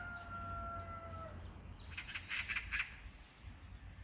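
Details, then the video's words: Magpie giving one short, harsh chattering burst of four or five quick rasping notes, preceded by a faint steady whistling tone, with low background rumble throughout. "까치~ The magpie's calling!"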